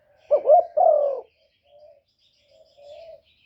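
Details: Spotted dove cooing, used to lure wild doves: one loud, throaty two-part coo with a rising first note and a longer falling second note, then two faint, softer coos after a pause.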